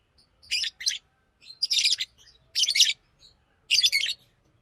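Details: Pet green Fischer's lovebird chattering in four dense, grating chirp bursts, each a pair of rapid notes, coming about once a second.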